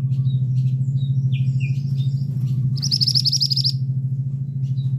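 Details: Male scarlet minivet gives a brief, fast trill of high sharp notes over a loud, constant low hum, with scattered short chirps before and after.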